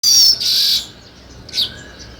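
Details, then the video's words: Sparrow chirping: two bright, high buzzy bursts in the first second, then a quieter pause and one more short, sharp chirp. "Sparrow Chirping Sounds"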